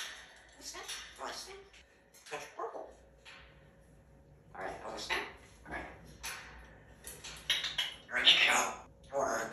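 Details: Two-year-old male African grey parrot in time-out, wanting to come out, gives scattered, irregular bursts of harsh, high, speech-like squawks and chatter while a person talks nearby.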